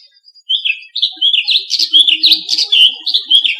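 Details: A brown rock chat in Rajasthan, India, gives a quick, unbroken run of high, sweet chattering and warbled notes, rising and falling for about three seconds.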